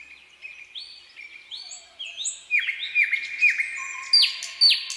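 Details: Nightingale on a quiet summer night, singing long level whistles that step upward, then loud repeated downward-swooping notes about every half second, closing with high sharp accents.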